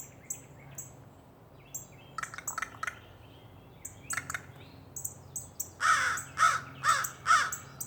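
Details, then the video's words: A crow in a backyard tree in Raleigh, North Carolina, gives four harsh, hoarse caws about half a second apart, after thin high chirps and clicks from smaller birds. "A Crow making noise"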